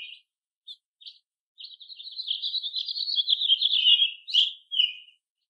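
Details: American robin, one of several robins of different ages foraging in a chorus with other birds: a few short chirps, then a long rapid, bubbling run of high notes rising in loudness, ending in sharp separate chirps.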